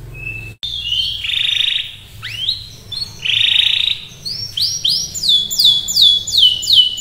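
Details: Canary singing at full, lively pitch: buzzy sustained notes and rising sweeps, followed by a steady series of loud descending whistles repeated about twice a second, over low background hum.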